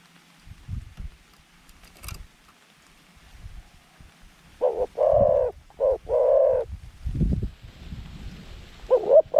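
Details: Medium-voiced zebra dove kept as a decoy to lure wild doves into a trap enclosure, giving a run of rolling purred coos and a final clipped double note over low rumbling noise.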